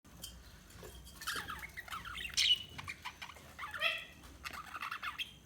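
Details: Budgerigars chirping and warbling: a run of quick, bright, scratchy chirps and squeaky twitters, rising into a louder buzzy burst mid-way and another trilled phrase near the end, over a faint low background hum.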